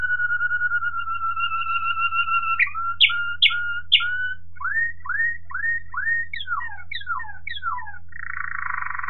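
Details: Waterslager Malinois canary singing in 2018: a sustained low whistle, three sharp clicking chops, a string of falling slurred whistles, then a closing rapid roll; steady hum throughout.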